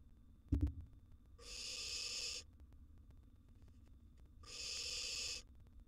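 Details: Barn owl nestling, wild, in a camera-monitored nest box while eating a large gerbil: a sharp knock, then two drawn-out snoring hisses roughly three seconds apart, each about a second long, over low electrical hum.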